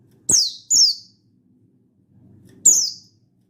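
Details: Mountain white-eye of the buxtoni form singing wild-style to challenge a rival, 16/8/22: two quick piercing down-slurred whistles, a pause of over a second, then a third matching note; faint low rumble underneath.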